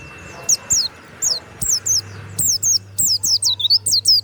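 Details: Kept warbling white-eye with a loud, open 'ngeplong' song: rapid series of high, thin descending whistled notes in pairs and runs, about fifteen notes, with a faint low hum behind.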